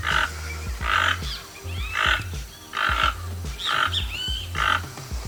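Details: Rainbow-billed or keel-billed toucan repeating harsh, frog-like croaks roughly every second, each a brief raspy burst, with a few faint higher chirps between them over continuous background music.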